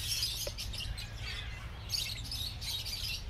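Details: Lovebirds at Chandigarh Bird Park, India, keep up a busy, overlapping chatter of high, shrill chirps and squeaks from many birds at once, over a low steady background rumble.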